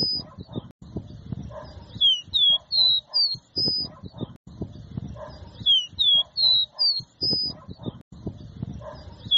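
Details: 'Dó ré mi' song of a caboclinho seedeater, used to teach young birds: the same clear whistled phrase twice, with descending slurs, quick rising notes and a sustained level whistle, against faint low rumbling noise.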